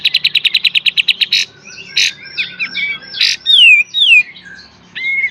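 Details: Kapas tembak song used as master training for cage birds, full beset and tembak: opens with a fast even series of about a dozen clipped notes, then harsh buzzy blasts and several steeply falling whistles.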